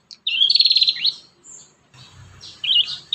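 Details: Prinia song for training young prinias: a fast buzzy trill of pulsed high notes slurring downward, then near silence and a short chirpy phrase at the end.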